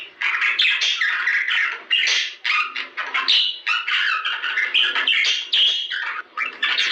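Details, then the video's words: Budgerigars warbling, a sound presented as bringing birds into breeding: busy overlapping chirrups, squawky notes and brief whistles in an unbroken rambling stream, with slightly lower, harsher phrases mixed in. "بهذا الصوت ستتزاوج طيور البادجي غصبا عنها"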